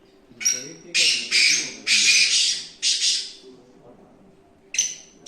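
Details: Harsh, scratchy calls of a black francolin (kala teetar), several grating bursts in quick succession, each opening with a thin whistled edge, over a faint low hum and murmur.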